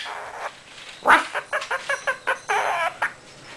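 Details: Pet Quaker parrot chattering: a sharp click, then a rhythmic string of short nasal pulses about five per second, ending in a longer wavering, buzzy note.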